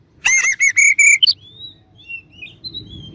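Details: Rival Oriental magpie-robin delivering a quick series of five loud harmonic notes, then soft high whistled slurs that rise and fall.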